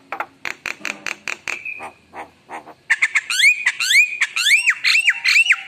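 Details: Javan myna in emotional, active gacor song full of rich fill-ins: a quick series of dry, clicking rasps, a short pause, then a run of loud whistled notes that swoop up and down, repeated almost twice per second.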